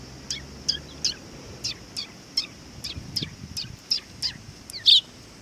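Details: A group of sparrows arriving to be fed at a Tenmangu shrine, 18 August 2020, giving a steady run of about a dozen sharp, high chirps, roughly two or three per second, with a louder final chirp.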